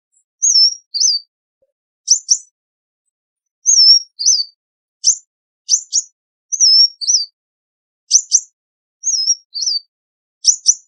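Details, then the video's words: A sunbird sings a high, thin phrase: a wavering whistled note and sharp doubled chips, repeated about every one and a half seconds. No other sounds. "Sunbird - Singing Sound Effect"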